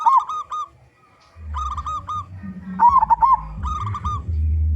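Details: Loud local zebra dove singing as a lure for others: flat coo runs and a bubbling, wavy trill, with a low rumbling hum growing underneath in the second half.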